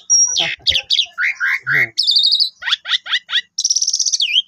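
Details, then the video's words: Tame caged Asian pied starling in full, varied song while playing with its owner on a Friday: harsh chattering bursts, a pure high whistle, buzzy rattling trills and a fast quavering high note, notes packed densely with short pauses. "Bermain Sama Jalak Suren Gacor Full Isian"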